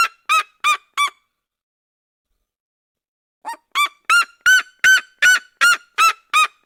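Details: Red-legged seriema duet song from the Cerrado: loud, harsh yelping notes, three quick ones, a pause of over two seconds, then a steady run of about ten strong barking yelps, evenly spaced and slightly rising at first.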